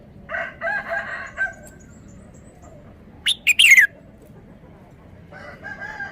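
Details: Red-whiskered bulbul giving its sweet three-syllable song: one quick phrase of loud, bright whistled notes sweeping downward, framed by softer buzzy calls from other birds at the beginning and end.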